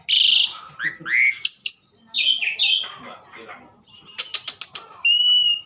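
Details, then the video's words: Vigorous song of an Asian pied starling: a harsh screech, rising slurred whistles, squeaky chatter, a quick stuttering rattle, then a long steady whistle to close. "burung jalak suren super gacor"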